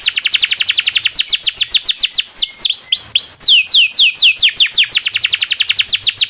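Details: Local canary (kenari lokal) singing a long rolling song used as a tutor for other songbirds: rapid series of downward-sweeping whistles, about three to four per second, with a few rising notes mid-phrase before the fast trills resume.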